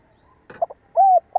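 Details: Spotted dove decoy bird calling to make other birds coo: a brief rustling noise, two quick soft notes, one clear sustained coo, then the start of another coo.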